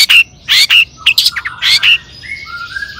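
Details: Long-tailed shrike singing as a lure to get other shrikes calling: a few harsh, rasping bursts and short whistles, followed by soft, level, lower whistled notes.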